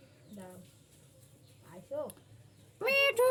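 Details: Indian ringneck parrot talking while eating chocolate: short, speech-like syllables with stacked harmonics and gliding pitch, then a loud, sharp, harmonic burst near the end over a quiet indoor background.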